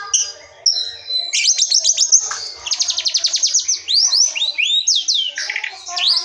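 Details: White-rumped shama from the forest, song for luring silent or young birds to sing: high thin notes, then a fast run of sharp repeated clicks and chips, followed by quick rising and falling whistles.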